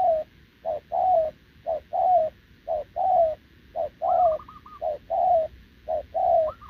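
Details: Wild-caught spotted dove cooing continuously with a decoy bird, recorded 6 November 2024; regular paired coos about once a second, short then long and falling, with a second dove's higher rapid coo breaking in twice.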